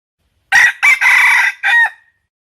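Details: Wild junglefowl giving one crow in four parts: clipped, choppy opening notes, a longer rasping middle and a short ending note that drops away. Nothing else is heard.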